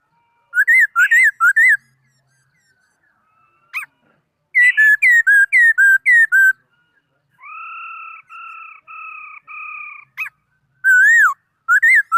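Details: Laughingthrush singing: quick bursts of loud, clear whistled notes that rise and fall, then a run of five steady, even tones held about half a second each, ending with more slurred whistles; quiet background.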